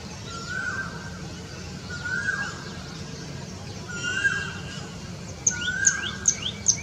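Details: Common tailorbird, a resident of urban gardens in India, giving a loud call: a short, bright note repeated four times at intervals of about one and a half seconds, followed by quick high chirps over a steady low background hum.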